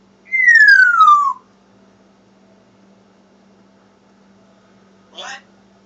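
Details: Rescued female African grey parrot calling from another room, unaware of being recorded: one clear whistle sliding steadily downward, a long quiet gap over a low indoor hum, then a brief rough, noisy burst.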